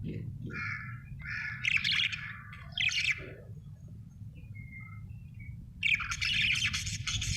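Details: Contented budgerigar giving scattered chirps and buzzy chatter, short clear notes, a thin whistle near the middle, then a loud dense burst of scratchy warbling at the end, over a steady low hum.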